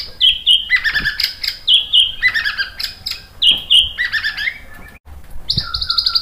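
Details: Lure song of a white-rumped shama meant to make other birds answer: rich whistled phrases repeated in a rhythmic pattern, with buzzy high notes and brief clicks between phrases.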